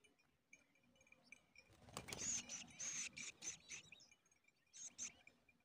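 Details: Large woodshrike at a crowded nest with many chicks; thin, very high chirps come in clustered bursts, mixed with rustling and crackling near the nest.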